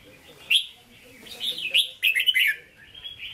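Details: Caged red-whiskered bulbul of Hue singing style, 'hót ché': a sharp whistled note, a soft rolling phrase, then a fast bright trill of scratchy, slurred syllables.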